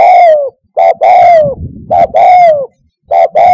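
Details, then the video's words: Loud, close spotted dove coos used to attract doves when hunting from a hide, repeated back to back, each a short hoot and a longer sliding-down hoot, with a faint low rustle between. "COCOK UNTUK NYANGGONG - SUARA TEKUKUR TERBAIK"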